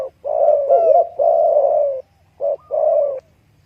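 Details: Spotted dove producing a sustained, mellow, throaty coo for nearly two seconds, then two shorter coo notes after a brief pause, against a very faint low hum.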